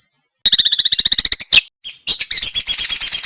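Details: Small songbirds in a close, lively sequence used to prompt a white-rumped shama: a rapid trill of even, high ticking notes, a brief sharp squeal, then another quick run of thin high chirps.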